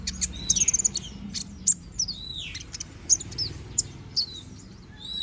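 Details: Young konin bird growing new feathers sings: quick stuttering run of high tweets at the start, then scattered sharp chips and longer falling whistles, separated by short gaps.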